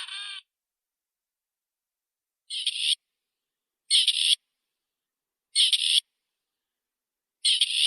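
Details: A single Grey Partridge repeating a rough, grating call every one and a half to two seconds. Each call is a short, creaky burst in otherwise silent surroundings.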